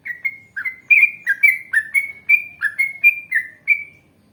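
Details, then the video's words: Yellow-vented bulbul performing a long ngalas and ropel song, meant as a lure for other bulbuls to answer: a fast string of about a dozen bubbly, chirping whistled notes that rise and fall, then stop. "Masteran Trucukan Gacor Ngalas Panjang Ropel Panjang"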